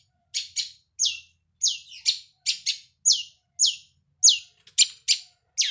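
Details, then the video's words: Long-tailed shrike song used as a lure to prompt a bird to sing: a fast series of short, harsh downslurred notes, high-pitched and repeated roughly twice a second with brief gaps, on a quiet background. "pancingan cendet biar bunyi"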